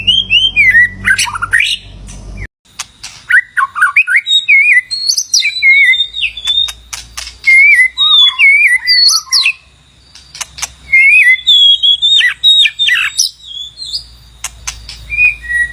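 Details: White-rumped shama singing to call in a mate, used with a decoy bird: lively high whistled phrases, quick zigzag warbles and sharp clicking notes, in bursts with brief gaps.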